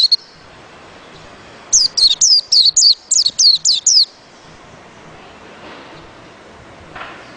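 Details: A white-eye gives a tight series of about ten high, falling chirps in roughly two seconds, then goes quiet; soft background noise fills the rest.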